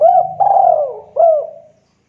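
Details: Local Javan spotted dove used as a lure to make other doves answer, a soft-voiced lively caller: three mellow coos, the middle one longest and slowly falling, the last shorter and fading, with a faint low hum beneath.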